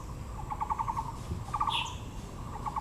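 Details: Harsh stuttering rattles of a Taiwan blue magpie in Yangmingshan National Park, Taipei, amid azaleas, three bursts of rapid clicks, with one brief high squeaky note in between and low background noise.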